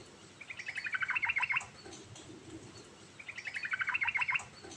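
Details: Yellow-vented bulbul with rolling ngerol song: two matching fast, chattering bubbly phrases, each about a second and a quarter, spaced roughly two seconds apart.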